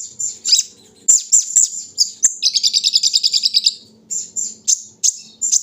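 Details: Brown-throated sunbird in the morning dewing session: thin high chirps, then a rapid even trill of about a dozen buzzy notes lasting over a second, then scattered tweets.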